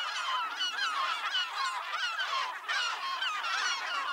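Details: A dense chorus of Caspian terns at a nesting colony on low islands in the Selenga River delta by Lake Baikal: harsh, rasping, overlapping calls from many birds at once, with no pause, and a faint wash of wind behind.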